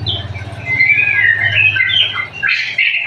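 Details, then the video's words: White-rumped shama song: a brief run of varied warbled and whistled phrases, mostly high and shifting in pitch, with a harsher burst near the end over a steady low hum. "Burung Murai Batu"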